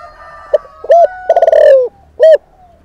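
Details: Decoy spotted dove cooing to stir up wild males: a brief note, a strong hollow coo, then a drawn-out stuttering coo falling in pitch, and one more loud coo, with a thin steady tone in the background.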